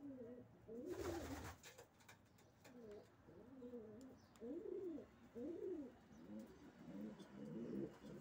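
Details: Racing pigeons cooing in arched, rising-then-falling low phrases repeated every second or so, after an opening burst of wing flapping.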